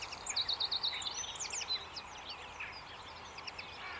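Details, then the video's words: Bird chirping: a quick run of five high, evenly spaced chirps, then scattered sharp twittering notes from more than one bird over faint steady background noise. "Birds Chirping"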